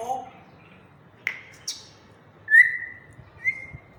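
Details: African grey parrot in a happy mood: low voice-like murmur, two sharp clicks, then a bright level whistle and a shorter echoing whistle.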